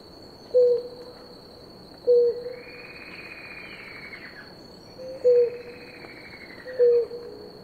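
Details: Pair of blue ground doves drinking water: short low hooted coos around 500, given in pairs spaced about one and a half seconds apart, four notes in all, over a steady high insect whine and a faint drawn-out whistle.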